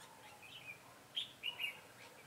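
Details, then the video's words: Red-whiskered bulbul serving as a lure for trapping wild birds, 22 September 2017: a soft introductory warble, then a loud, clear phrase of three sharp whistled notes in quick succession. "Bẫy chào mào"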